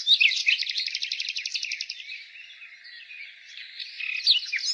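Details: Nightingale in spring delivering a fast rattling trill of evenly repeated notes for about two seconds, then a quieter pause and scattered brighter notes, with a continuous background of distant birdsong.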